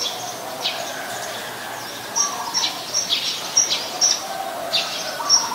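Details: Eurasian tree sparrow, a very common resident, recorded 10 May 2020 in Ubon Ratchathani, Thailand: short high chirps in scattered bursts, some sharp and bright, over a soft lower warbling and steady background hiss.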